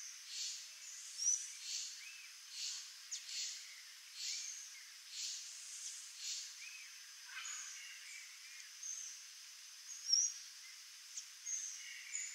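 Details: A pair of Swallow Tanagers (Tersina viridis) give high, thin, short calls repeated about once a second, with soft background hiss and a few faint chirps.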